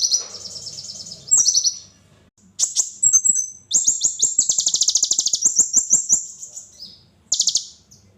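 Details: Kolibri ninja sunbird giving spicy training song: bursts of shrill high chatter building into a long, fast, pulsing trill, then a last short burst.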